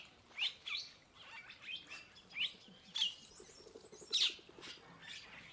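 A purple starling gives short, bright chirps and squeaky, rasping notes at a quick irregular pace, with faint twittering underneath.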